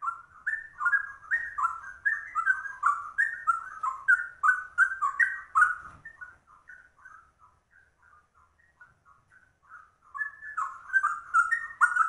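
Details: Rare trucuk (yellow-vented bulbul) performing cucak rowo-like ropel song: fast rolling whistled notes for six seconds, a softer, sparser stretch of scattered notes, then a return to loud rapid whistling.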